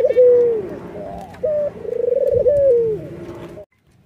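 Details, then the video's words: White, red-eyed Barbary dove nodding and laughing: a short steady hoot, then a long pulsing, rolling coo that wavers and slides downward, repeated with a brief gap, then silence at the end. "suara puter putih mata merah ini ngangguk dan tertawa"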